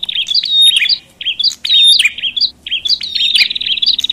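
A Bar-winged Prinia gives loud, scratchy chattering in rapid bursts about a second long, broken by brief pauses. No other sounds stand out.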